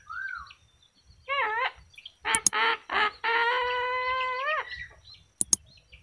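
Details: Yellow-crested cockatoo talking: a series of harmonic, speech-like tonal calls with gliding and sliding pitch, several strong syllables around the middle, ending in a long steady tone and two sharp clicks.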